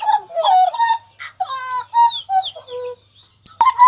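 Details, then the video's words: Caged hooded butcherbird of the blorok type in full song, October 2019: clear, mellow whistles and short warbled phrases, several held notes and sliding whistles, then a sharp bright note near the end. "Kicauan Jagal Papua Gacor"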